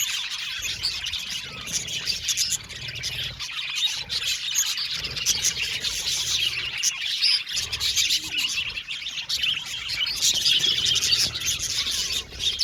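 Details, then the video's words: Aviary colony of budgerigars producing a long, steady wash of high-pitched chirping and warbling chatter, many birds calling at once with scattered sharper notes and no pauses. "Budgie Sounds for Lonely Budgies | Natural Relaxing Chirping Sounds"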